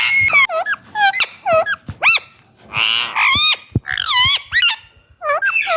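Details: A pet rose-ringed (Indian ringneck) parakeet gives quick bursts of shrill, swooping whistles and squawks, some rising and some dropping, several each second with short pauses between.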